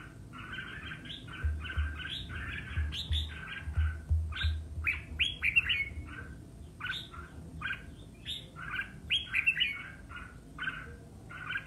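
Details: Red-whiskered bulbul singing competitively: lively sequence of short whistled and warbled phrases, some bright and sharply upswept, delivered about three per second, with a soft low rumble in places.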